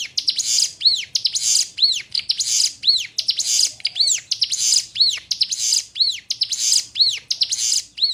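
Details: Sunda warbler, called ciblek gunung, singing a tutor song for cage birds: rhythmic phrases of buzzy high chatter, each ending in a rising-then-falling whistled arc, repeated roughly every second in a steady series.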